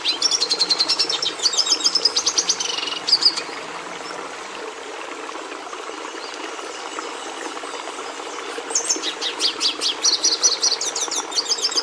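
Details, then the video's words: Bursts of Red siskin song: a quick twittering, buzzing phrase for about three seconds, a long pause with only low hum, then another lively run of high chirps and trills. "Canto do Tarim da Venezuela"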